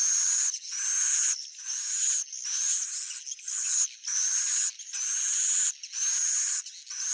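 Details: Swiftlet, claimed as the real sound: rasping high twittering phrases of about a second each, repeated with short gaps, carrying faint whistled tones.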